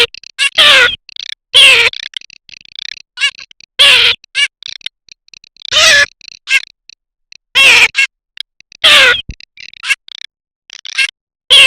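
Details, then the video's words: A garganey gives loud, harsh, nasal calls that slur downward, repeated every one to two seconds, with softer chattering notes between them. "صوت الحذف الصيفي (شترف)|| Garganey Sound"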